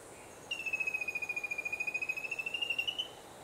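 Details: Rufous-capped antthrush, recorded 3/3/16: one long, thin, high whistled note of about two and a half seconds, nearly level with a slight dip then rise, finely pulsed throughout, over steady soft background noise.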